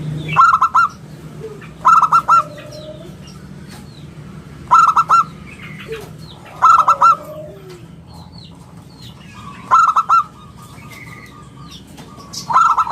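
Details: Local perkutut, the zebra dove, singing clear round 'bulat kristal' song meant as a lure and master for other birds: five short bursts of ringing stuttered notes spaced roughly two to three seconds apart, faint soft notes between, with a low hum behind.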